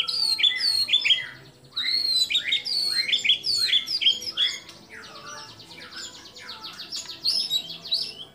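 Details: White-rumped shama song with mimicked notes of kapas tembak, cililin, lovebird and canary: jerky whistled phrases with upward and downward slurs, then a long dry rattling chatter that fades out.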